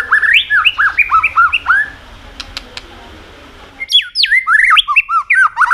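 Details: Vigorous white-rumped shama song used to stimulate other birds: dense, varied whistled phrases with bouncing up-and-down notes, a short gap with a few clicks, then a louder, higher burst of rich whistles.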